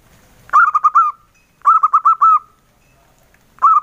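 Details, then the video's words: Male local zebra dove, engkel song: three short bursts of soft rolling coos, each a quick run of mellow notes with a trailing tail, about a second apart. "SUARA PERKUTUT LOKAL JANTAN, SUARA ENGKELnya YG EMPUK BANGET"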